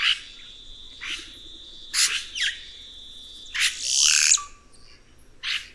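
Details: Red-rumped cacique song mixing a steady, high whistled tone held for about two seconds with loud, rasping crackles, then a descending sweep and a final harsh burst.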